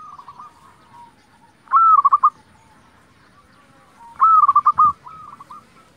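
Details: Local zebra dove in full song, meant to goad quiet zebra doves into answering. Two loud phrases of quick, bubbling coo notes, about two and a half seconds apart, over faint background cooing.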